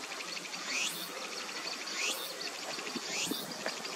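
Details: Little grebe chick begging as it chases a parent for food: thin, high upslurred peeps repeated about every second and a quarter, over a steady hiss of outdoor background noise.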